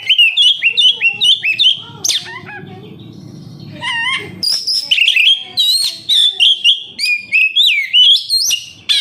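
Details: Oriental magpie-robin singing as a lure for caged birds: quick chirpy notes at first, a pause with soft low murmur, then a renewed run of high whistles and looping rising notes.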